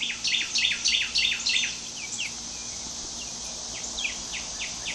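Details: A crowded coop of two-week-old hatchery chicks on their first outdoor minutes produces a loud burst of rapid overlapping high peeps, then softer, spaced downslurred cheeps.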